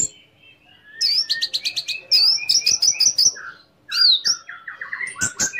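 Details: Orange-headed thrush song meant to provoke another orange-headed thrush: after a quiet start, rapid clicking notes and high looping whistles, then a run of descending slurred phrases and sharp chips.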